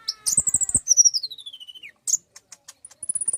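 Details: Common iora singing, used to provoke other birds to sing: a high chattering trill runs into a long thin whistle that slides steadily downward, then sparse chips and a final high rapid rattle.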